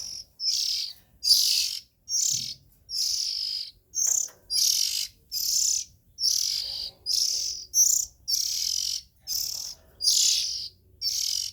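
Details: Oriental magpie-robin young calling quickly, about seventy short rasping hisses a minute, each burst noisy and sharp, with faint background hum.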